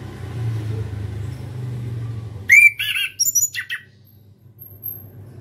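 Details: Young chestnut-capped thrush (anis kembang) practising the ngeplong song style: after a low hum, a sudden loud burst of clear whistles and harsher chattering notes lasting about a second, then quiet again.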